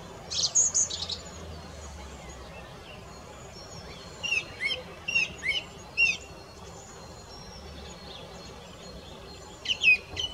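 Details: Song thrush in song: after a loud high opening burst, one clear two-part whistled phrase repeats four times in a row, then a fresh phrase closes the passage.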